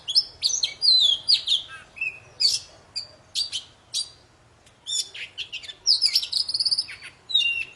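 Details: Energetic poci song meant to get quiet poci birds singing again: sharp high whistles, falling slurs and chattering notes in short rapid phrases, then a drawn-out whistled trill near the end.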